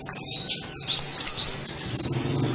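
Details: Sunbird singing a rapid, high-pitched twittering phrase of thin, sweeping notes that rise and fall quickly, loudest in the middle and fading into softer trills toward the end.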